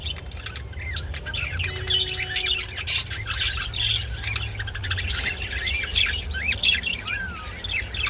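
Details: Budgies mating and calling: a busy warble of short up-and-down whistled squeaks and harsh squawks packed closely together, with one longer falling note near the end, low hum in the background.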